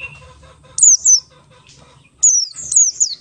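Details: Buxtoni Oriental white-eye singing in the ngalas style, used as a lure to make other white-eyes sing. Two bursts of piercing, high, downward-slurred whistles with a brief pause between them, over a faint low hum.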